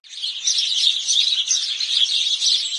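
House sparrows chatter in a dense, unbroken stream of high, overlapping chirps, many birds calling at once with no pauses and no other sounds.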